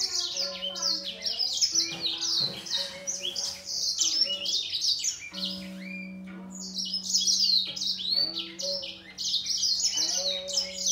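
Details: Grey singer finch singing against a green singer in a song contest, long unbroken stretches of rapid high chirps and trills, interspersed with held steady lower tones, both birds pouring out song together.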